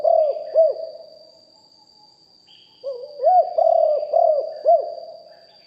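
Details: Live recording of a decoy spotted dove in a deep-voiced song style. A phrase ends with two looped coos. After a short silence, a fresh phrase of low, mellow, rolling notes follows. A thin constant electrical tone sits above.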